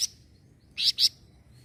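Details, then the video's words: Sunda bush warbler reacting to a noisy sound: one short high chip, a pause, then two strong, rich high notes in quick succession, clear against a quiet background. "KALO ADA SUARA BERISIK BURUNG FLAMBOYAN INI LANGSUNG NYAUT"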